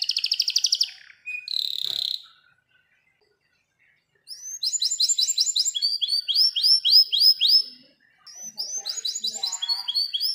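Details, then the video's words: A canary sings fast, bright rolling trills and repeated chirping phrases, high and sweet, with brief pauses between bursts, used as a lure to get young canaries singing quickly; Canary. "KENARI gacor dor roll panjang | pancingan kenari PAUD agar cepat bunyi"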